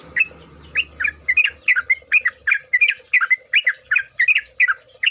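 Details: Trucukan, the yellow-vented bulbul, in a gacor ropel lure recording from an ombyokan. There is a long steady series of short, liquid, warbled phrases, each a quick rising-then-falling slur, repeated several times a second. A low hum is heard at first.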